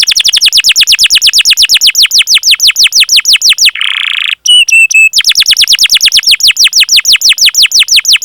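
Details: Vigorously singing canary with long rolling cuit-cuit song, used to prompt other canaries to sing; a fast continuous roll of downswept notes, broken midway by a short rasp and a few chips, then resumed.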